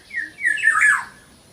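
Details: Small local oriole giving a short, slurred whistled phrase that sweeps down and then rises, with a brief higher whistle near the start, in a quiet indoor-sounding setting.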